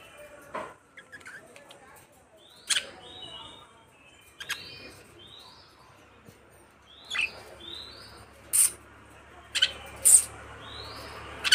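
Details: Soft budgerigar chirps: short upward-sweeping notes repeated irregularly, mixed with sharp clicks and louder tweets near the end, against faint background noise.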